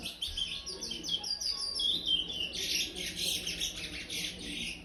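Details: Five-month-old brown-plumaged chestnut-bellied seed finch, kept in an aviary, singing in the praia style: a continuous run of quick warbled and whistled phrases that grows denser and busier from the middle, with a faint low hum underneath.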